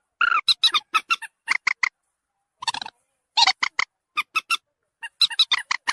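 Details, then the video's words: Common moorhen lure used to attract birds: a rasping opening cry, quick clusters of sharp nasal notes, a brief gap, a burst of rough chatter, then more fast clipped calls. "SUARA PIKAT MANDAR BATU"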